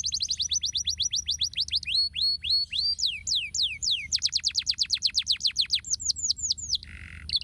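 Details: Stimulating canary song meant to get lazy canaries singing: fast repeated high notes, a series of upslurred whistles and down-sweeping slurs, another rapid trill, then a brief lower buzzy note at the end.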